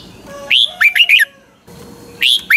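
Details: Red-whiskered Bulbul, a Thai cage bird of Pa La-u stock, giving its doubled 'phleng boen' song. A clear upswept whistle leads into three bouncing warbled notes, and a second phrase begins near the end over faint low background hum.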